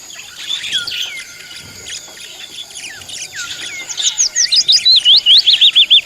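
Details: Several pet budgerigars calling together: bright, overlapping warbled chirps and sweeping whistled notes, building toward the end into a fast run of looping, rising-and-falling trills repeated several times a second.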